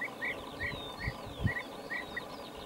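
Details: European bee-eaters recorded on 20 May 2019 in Lubelskie Voivodeship, south-east Poland: a run of rolling, burry calls, some doubled, coming about every third to half second, with faint high thin whistles and low thumps behind.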